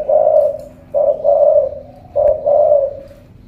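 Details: Ca Mau spotted dove with a big 'thổ cọp' voice cooing: two clear phrases, each a short low note followed by a long, smooth, slightly falling note, in a quiet room.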